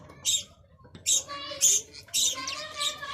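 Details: Budgerigar chatter: three or four bright, raspy squawks spaced about half a second apart, blending into a soft warbled twitter at the end.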